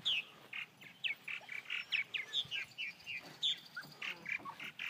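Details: Purple martins in Elbert County, Georgia, where they are the county bird: quick, clear downslurred chirps repeated several times a second in an even run, with softer chatter from other birds behind.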